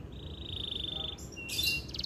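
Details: Canary song used to stir breeding readiness in female canaries: a steady buzzy trill held for about a second, then a bright high burst of rapid notes and sweeps, over a low background hum.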